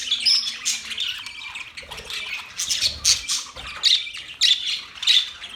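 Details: Budgerigars recorded October 11, 2023 give harsh, scratchy squawks in uneven bursts about twice a second, over softer high chirping from other birds.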